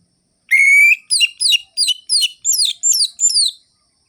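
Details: Energetic orange-headed thrush song in the crisp ngerol-ngeplong rhythm: one long, steady, slightly rising whistle followed by seven quick, evenly spaced, downward-sweeping notes.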